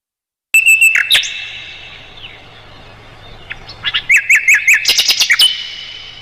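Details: Song of the Mugimaki flycatcher, a tutor for songbirds such as the white-rumped shama: a sudden burst of sharp high notes after silence, a long quiet pause, then a quickening series of bright chirps and trills.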